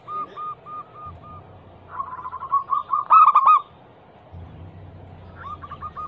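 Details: Local zebra dove, described as a female calling a male, used as a lure recording: quieter strings of rapid coo notes, a loud stuttering burst near three seconds, and a low hum underneath in places.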